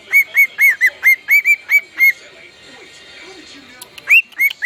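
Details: Singing pet bird, male: a rapid series of short, clear whistled notes at a steady pitch with sharp onsets, a brief quiet pause, then the same whistles resume against light background hiss.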